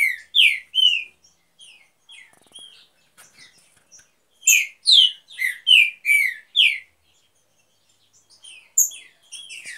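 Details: Green-winged saltator, one of a breeding pair in an aviary, sings loud, rich whistled phrases of slurred, mostly descending notes, delivered in bursts separated by short pauses, with softer chips between phrases.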